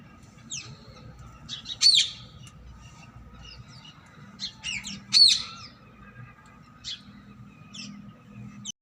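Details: Wild rose-ringed parakeets visiting a home, giving two shrill, sharply descending screeches about three seconds apart, between scattered softer high chirps, over a steady low hum.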